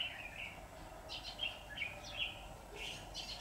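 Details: Red-whiskered bulbul song recorded while trapping with a decoy bird on 23 September 2019. Brief bright chirping phrases, some sharply rising, come in quick succession over a constant hiss of background noise.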